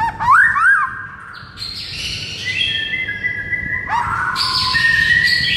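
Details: White-rumped shama morning masteran: quick rising whistles at the start, then long buzzy and whistled sustained tones, with a rising hiss of background noise toward the end.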